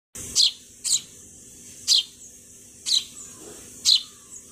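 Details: Sparrow chirping: five sharp, high chirps, each sliding quickly downward, spaced about one second apart with short pauses, over a quiet steady background hiss.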